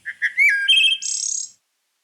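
A Wood Thrush sings a single phrase: soft low introductory notes, a clear fluting middle, then a high, shimmering trill that fades out.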